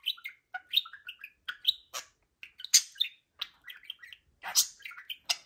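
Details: Two pet budgerigars, bursting with Friday-morning energy, keep up a busy warble of short whistled squeaks, buzzy chirps and little rising and falling notes, delivered in quick, uneven succession with occasional harsher scratchy calls.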